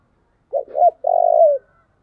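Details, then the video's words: Spotted dove song used as a lure to attract wild doves: two short hoarse coo notes followed by a long, even, purring coo that drops slightly at the end. The phrase is delivered once in a quiet setting. "tiếng kêu của chim cu gáy âm thanh rất chuẩn để kích bổi"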